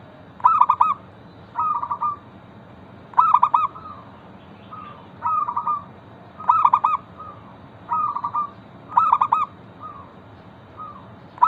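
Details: Singing local zebra dove meant to provoke other zebra doves into song: about eight rolling, stuttered coo phrases, loud and softer ones alternating, with brief quiet coos tucked between, against a constant low hiss.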